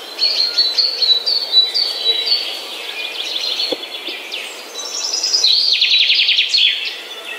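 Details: Morning birdsong: bright, high chattering phrases and quick repeated notes, with a buzzy trilled series of rapid ticks near the end and a faint background hiss.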